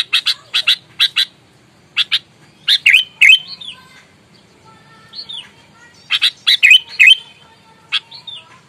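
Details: Sooty-headed bulbul calling in aggressive, combative mood to rile rivals: bursts of rasping chack notes ending in whistled slurs, a quiet gap with soft whistled phrases, then another burst.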